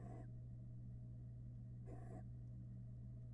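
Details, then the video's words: Hungry barn owl young at a Florida nest box begging while the male delivers a rat: two rasping, noisy hisses about two seconds apart over constant low electrical hum. "Male barn owl brings dinner (Rat) to his hungry family"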